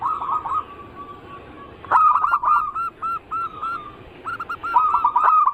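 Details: Zebra dove song, a lure for zebra doves of local, Bangkok and crossbred types: soft purring notes, then loud clicks and a run of short rising-falling coos spaced about twice per second, ending in a dense rolled phrase.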